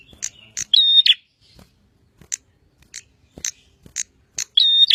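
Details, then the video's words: Bar-winged prinia, known locally as prenjak, singing actively: sharp high clicking notes scattered through the clip and two loud sustained whistled phrases with a buzzy edge, one near the start and one at the end, with faint low background noise. "Burung prenjak gacor"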